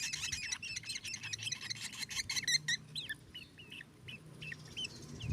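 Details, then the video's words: Black drongo song recorded as a training recording for teaching other birds: quick run of varied high chirps and buzzy notes, then slurred, separated whistles in the second half, over a low rumble of background noise. "lolohan burung srigunting hitam"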